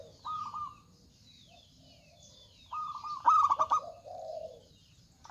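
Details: Local zebra dove with a strong voice. Mellow coos are followed by a loud phrase of quick, clipped, ringing notes, then a soft low coo and a fresh loud note at the end.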